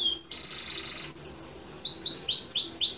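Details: Canary song for training other birds: a low buzzy trill shifts to a high rapid rattle, then a series of bright downslurred whistles repeated about three times a second.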